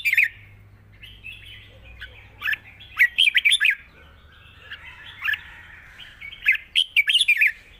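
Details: A caged Red-whiskered bulbul (Pycnonotus jocosus) with a light voice that sings readily, giving a long song with trills. It sings bright, bubbly whistled phrases in three or four quick bursts with short pauses over a faint low hum.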